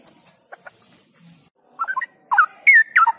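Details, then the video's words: Caged straw-headed bulbul (cucak rowo) trained outdoors in Indonesia to sing in full gacor and ngropel style: a few faint notes, then loud liquid warbled phrases swelling in the last second and a half. "Ngelatih Cucak Rowo Di Luar Biar Suara Gacor dan NgropelNya Makin Yahud"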